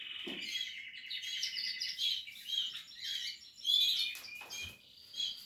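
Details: Portuguese harlequin canary chicks in the nest giving dense, high-pitched chirping, a rapid stream of overlapping tweets with brief louder bursts throughout.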